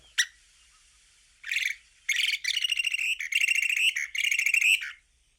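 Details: Long-billed dowitcher flight song, the sound heard when flocks scatter and fly: a sharp opening note, then bursts of rapid, buzzy, chattering trills, high and slightly rising, run together over about four seconds.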